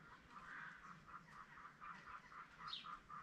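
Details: Farm-kept Spalding emerald peafowl calling in a quick series of short honking notes, roughly one every quarter second, with a brief higher squeal near the end.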